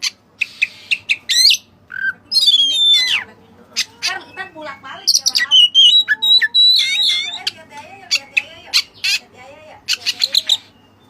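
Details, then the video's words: Energetic song of a white-breasted white-rumped shama carrying Cililin imitations: quick chips, rising whistled slides, warbled runs and bursts of harsh twittering across about eleven seconds with few pauses. "Burung Kacer Gacor Isian Cililin"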